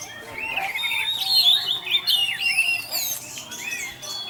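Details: Lure song of an orange-headed thrush in the teler style: a flowing string of looping high whistles and chirps, rising and falling, with a thin level tone running behind.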